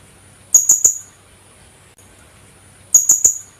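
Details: Kulasisi, the Philippine hanging parrot, giving two short bursts of three piercing, high-pitched chips each, spaced about two and a half seconds apart, over a near-silent background.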